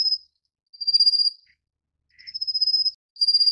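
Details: Rufous-faced warbler feeding nestlings, giving high, thin, rapidly pulsed trills roughly every second, each about half a second long, with a soft lower chirp in one gap.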